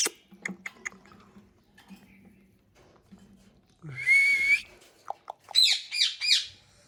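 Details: Natural voice of a parrot: scattered soft ticks and a low hum, then a loud harmonic whistle that slides slightly upward, followed by short squeaks and three rising, buzzy bursts.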